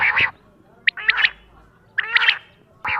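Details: Quail calling in the morning at dawn: short, hoarse three-note calls, notes rising sharply, repeated about every second, with husky squawk-like phrases between them.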